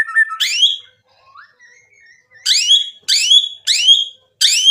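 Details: White-rumped shama singing to provoke a rival into answering: loud whistled notes sweeping upward, given in a quick series with short pauses, and a softer rising whistle in between.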